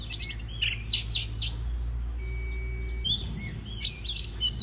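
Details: White-rumped shama singing, played to stimulate other birds to sing: quick runs of sharp chips and whistles, a brief pause, then rising and falling whistled notes, with constant low electrical hum beneath.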